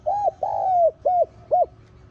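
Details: Spotted dove cooing for luring wild doves: a short coo, a long smooth falling coo, then two short rounded coos, close and clean with only faint low hum.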